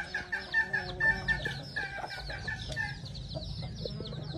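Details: Red junglefowl kept as a decoy bird gives a brief banded crow in the opening second, then fades into a background of high rhythmic chirps and low rumble.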